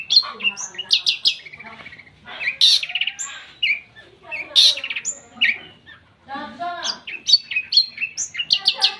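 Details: Long-tailed shrike's lively song of shot-like notes and mimicked fill-ins, a varied medley of harsh squawks, nasal trills, sharp chips and brief high whistles in bursts separated by short pauses.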